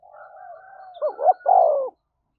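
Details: Spotted dove cooing to provoke a fight: a soft low murmur, then two short rising coos and a longer falling coo, the whole phrase lasting under two seconds.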